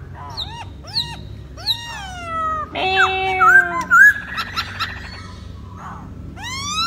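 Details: Poksay Hongkong, or masked laughingthrush, a caged songbird dancing to catch a female's attention, gives down-curved whistled notes at intervals, a noisy jumbled middle section with clear rising whistles, and a final arched note; steady hum behind.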